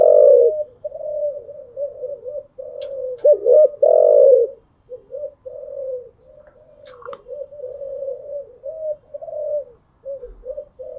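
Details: Early-morning spotted doves held as cage birds, cooing steadily; low mellow notes stream on with louder rolling phrases early on and a brief high chirp midway.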